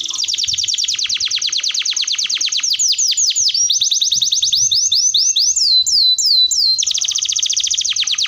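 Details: Long, energetic canary 'masteran' tutor song: dense high trills of quick down-slurred notes, slowing into wider spaced swooping notes, then speeding back into a fast rattle, with faint low rumbles beneath.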